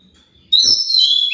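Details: Magpie-robin (kacer) lure song: a sudden, bright, sustained whistled phrase with warbling overtones, loud and clean for under a second after a faint knock.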